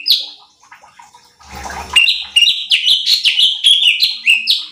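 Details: Cucak cungkok bulbul in a training recording for competition birds: one high note, a brief scuffling noise, then a fast, chattering sequence of bright whistled chirps that rise and fall, about three per second.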